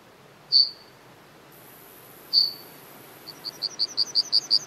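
Yellowhammer: two lone high chips, then a fast run of about ten identical high notes that swells steadily in loudness.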